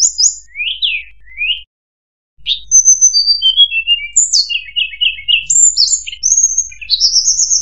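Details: Mangrove whistler lure call, played to attract mangrove whistlers: quick, high whistled notes, some sweeping up and some down, in brisk varied bursts after a brief pause; nothing else is heard.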